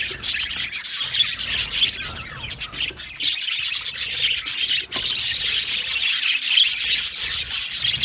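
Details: Budgie colony kept in an aviary, happy and chirping, gives a steady blend of many overlapping high, raspy twitters and squeaks with small surges in loudness throughout.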